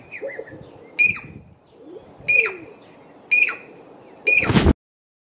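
Jacobin Cuckoo giving four sharp, ringing metallic notes about a second apart, each with a quick downward slur. Faint murmur underneath, and the last note ends in a broadband noise burst.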